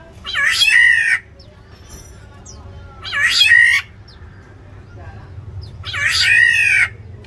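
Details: Inside an aviary, black-naped orioles fight over territory. Three loud, buzzy, mewing screeches arrive roughly every two and a half seconds, each falling at the end, with quiet low noise in the gaps.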